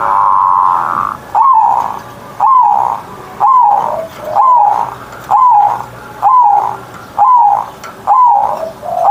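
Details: Perkutut, or zebra dove, a hobby bird singing loudly each morning in ngerot style. Short bright coos, each dipping at its end, repeat about once a second in an even series over a quiet background.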